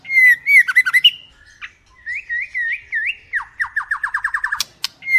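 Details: First-plumage female White-rumped shama, 2021: loud fluty warbles, a string of rolling looped whistles, then a fast descending trill of about a dozen notes, a sharp click and a closing whistle.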